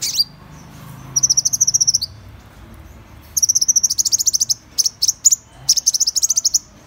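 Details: Van Hasselt's sunbird singing high, thin rapid trills of ticking notes in bursts of about a second, interspersed with sharp single chips and short trilled phrases.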